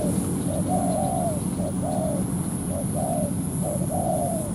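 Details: ['Ground-decoy spotted dove drawing a wild dove into a territorial fight. Soft short coos each lead into a long descending crooning note, repeated four times, with loud low background rumble and a continuous high tone.']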